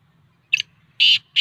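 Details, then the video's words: Kala teetar, the black francolin, in an excited 'masti' voice: a short scratchy note, a pause, then two loud, rasping, buzzy notes in quick succession against a quiet low hum. "kala teetar ki masti ki voice | کالا تیتر کی مست اور آواز | Black Francolin"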